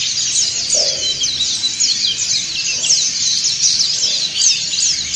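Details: A flock of dakun and montanus white-eyes in ngriwik chorus, sung as training and therapy audio for birds that will not sing; unbroken high twittering and chattering, with fast downslurred squeaks layered over one another.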